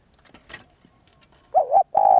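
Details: Spotted dove, noted as a wild bird, breaks into a single loud coo: a rolling, wavering double note, then a long steady hoarse tone that is cut off at the end. Quiet rustling comes first, and a thin high whine runs throughout.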